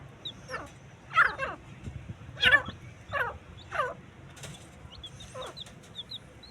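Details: Partridge fight: a run of six coarse, downward-sweeping calls spaced unevenly, the loudest near the start, while small birds twitter faintly in the background.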